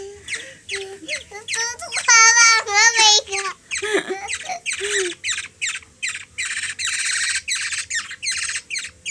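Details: Black-naped Oriole, a hungry kilyawan from the Philippines, begs while a three-year-old girl feeds it; a child's voice talks early on, then harsh raspy squawks follow in a fast, uneven run.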